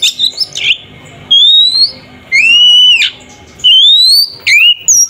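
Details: Oriental magpie-robin, kacer, singing a fighting song meant to provoke a rival: loud pure whistles sliding upward, held about half a second each, with short gaps between phrases.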